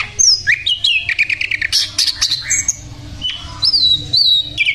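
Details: Sikatan londo flycatcher singing vigorously: rich, varied phrases of sharp whistles, rapid chirps and high slurred notes, some falling, some rising, given in quick bursts with short pauses and a faint low hum beneath.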